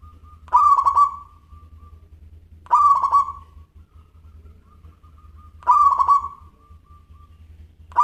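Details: Local zebra dove singing busily in a crystal voice. Repeated phrases of quick, rattling coos, each stretching into a soft held note, come every two to three seconds, and a fourth phrase begins at the end. A low hum runs throughout.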